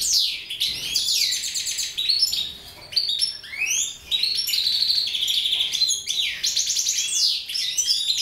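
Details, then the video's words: Mutation goldfinches give a busy, liquid warble of quick chirps, sweeping slurs and buzzy trills that continues almost without pause. "Mutation Goldfinches"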